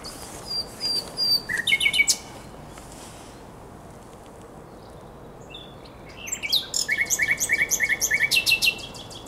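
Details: Common nightingale song from the Żerań Canal, Poland, on the night of 23–24 April 2022: a short phrase of piping notes ends abruptly, a pause follows, then a long rhythmic series of loud repeated chopped notes.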